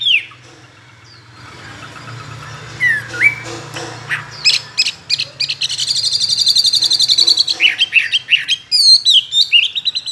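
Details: Chinese hwamei, a trained cage bird of two years mixing many wild voices, delivers varied swooping whistles that build into a long ringing, rapid phrase, then sharp descending notes, over a low hum.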